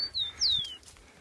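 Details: A trained captive Rufous-collared Sparrow, taken outdoors on 10 October 2015 at a keepers' meeting, gives two clear, high whistled notes that slur downward, the second longer and sweeping lower, over a faint low background murmur.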